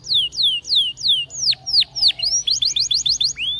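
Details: Belgian canary song for training: clear whistled notes slurring downward, about three per second, then a quick rattling trill of short rising notes.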